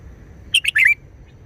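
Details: One quick forest-style song phrase of a red-whiskered bulbul: a pair of sharp chirps then a fluid, downward-slurring warble, about half a second long, with soft low hum behind.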